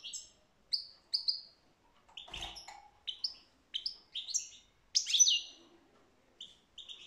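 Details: European goldfinch twittering song made of separate short chirps and whistles, roughly two or three per second, some clipped and tinkling, with one brief soft thud in the background.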